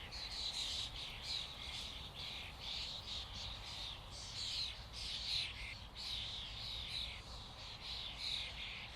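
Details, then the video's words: A dense flock of common starlings fills the air with constant harsh, squawking chatter in overlapping bursts, over a low rumble of wind or distant noise. "Flock of starlings/ Stado szpaków/ Ein Schwarm Stare"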